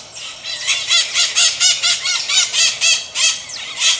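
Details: Harsh, grating screeches from maritacas repeated rapidly, roughly three per second, in an even series of rasping notes with a faint background chatter.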